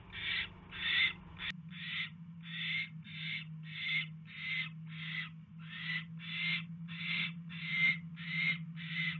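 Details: Owl nest, 29 January 2016, evening mouse delivery: a steady train of breathy, scratchy hisses, around one and a half per second, over a constant low electrical hum.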